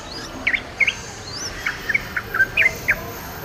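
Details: Yellow-vented bulbul in the wild delivers a loose series of short, liquid, chortling notes. Thin, high, sweeping whistles from another bird sound faintly behind.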